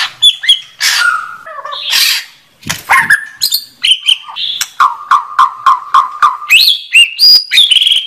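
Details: Song of a white-rumped shama: varied phrases that open with rich whistles and harsh rasping notes, then settle into a fast series of even, repeated chip notes that climb higher near the end.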